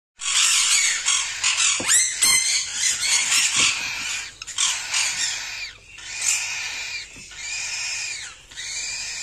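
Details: Young whiteface cockatiel chick gives harsh, raspy, hissing calls in rapid, uneven bursts.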